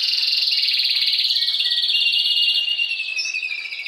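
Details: Spanish timbrado canary in a cage giving a sustained high, fast-pulsed trill that gradually descends, ending in a softer lower roll.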